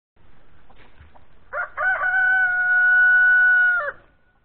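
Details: Rooster crowing once: a few rough opening notes, then a long steady harmonic cry held for about two seconds before cutting off abruptly.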